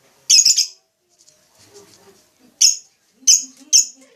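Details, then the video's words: Lovebird giving sharp, high, squeaky chirps spaced apart, with faint low murmuring in the gaps. "Suara burung lovebrid"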